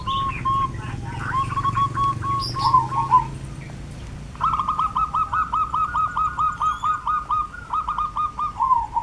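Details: Lively zebra dove song in the Javanese countryside of Kebumen, Central Java: a brief cooing phrase, a pause, then a long rapid train of clipped, level notes, with high twittering from other birds in the background.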